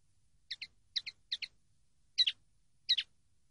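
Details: Training-CD recording of a common linnet singing: three quick paired chirps close together, then two louder, buzzier double notes after short pauses. The background is silent.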